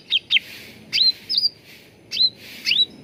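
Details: Training lure of grey-bellied bulbul song: paired short chirps followed by slurred whistles sweeping upward and levelling off, repeated roughly every second with faint background noise.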